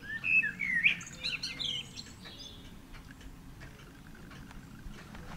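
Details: Eurasian blackbird singing and apparently exchanging phrases with a second blackbird in the background: a burst of fluty, warbling whistles in the first two seconds, then quieter, with a faint steady background hum.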